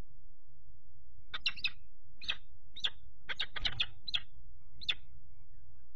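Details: Peregrine falcon on 4 April 2008 at a nest box. A third falcon repeatedly attacks the male perched on the grid while the female keeps brooding inside. It gives about eight harsh, rasping notes, some in quick pairs, over steady wind rumble.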